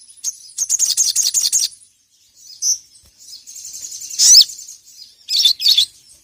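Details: Ruby-cheeked sunbird (sogon) calling a rival in vigorous ngeriwik style, recorded to train other birds: a quick ticking trill of high notes, scattered shrill chirps, and one sharp whistled note, then two more chirps.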